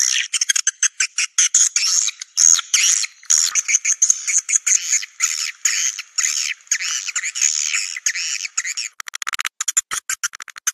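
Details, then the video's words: Swiftlet calls played to lure swiftlets to roost in swiftlet houses: rapid dry rattling clicks and buzzy chirps in quick bursts, a dense stretch then sparser broken clicking, no low sounds. "Suara walet super max"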